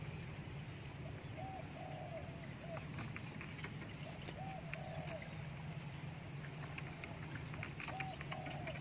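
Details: Spotted dove cooing, recorded for decoy luring: low, soft hooted coo phrases, each a short note followed by a longer rolling coo, repeated about every three seconds over steady low rumbling hum and scattered clicks.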